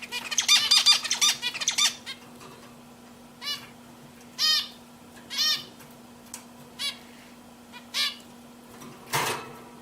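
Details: Several pet zebra finches: a dense burst of quick, buzzy, nasal notes in the first two seconds, then single honking calls every second or so, over a constant low hum.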